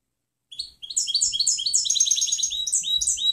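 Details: Canto limpio, the clean song of a European goldfinch, used for training other birds: a short chirp then an unbroken run of quick, sweet, high-pitched twittering notes that rise in intensity.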